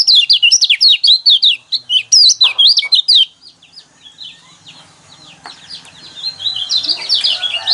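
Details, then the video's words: Yellow white-eye song for triggering caged birds to sing: three seconds of loud, rapid, jerky high notes, then a lull with faint chips before a softer high warble returns. "burung pleci kecial kuning mana yang nggak kepancing emosinya dengan suara seperti ini"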